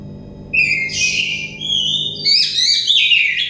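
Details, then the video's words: Oriental magpie-robin singing, meant to coax a stressed bird into lively song: two loud, sweeping whistled phrases with buzzy overtones, over a low background hum. "terepi kacer bahan kacer setres kacer daon cepat gacor ngeplong"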